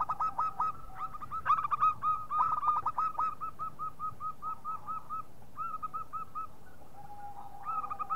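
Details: Zebra dove, local type, calling as a lure: long, lively sequence of staccato cooing notes at steady pitch, overlapping runs suggesting more than one caller, a few clicks, and a low flat whistle near the end.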